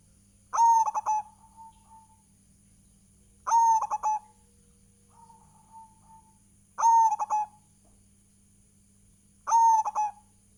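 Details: Persistent lure song of a local Indonesian zebra dove: four cooing phrases, roughly every three seconds. Each is a long level coo followed by a short burst of three staccato notes, with a steady hum throughout.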